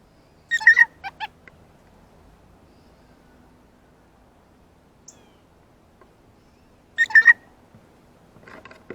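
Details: Blue jay excited at a ripe banana seen for the first time, giving short harmonic call bursts in two clusters about six seconds apart, with quiet background between.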